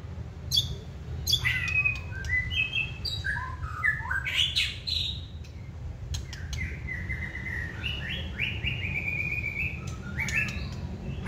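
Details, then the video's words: Caged wild-caught White-rumped shama in its second season, lively and fanning its tail, singing when stimulated: rich whistled phrases, slurred rising and falling notes and buzzy trills, with steady low background hum. "Chòe lửa siêng tạch chơi đuôi bung xòe kích là hót"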